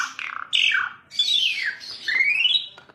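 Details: Asian pied starling giving loud, harsh, squawky notes with descending slurred whistles and a long rising whistle, all slightly noisy and rich in tone.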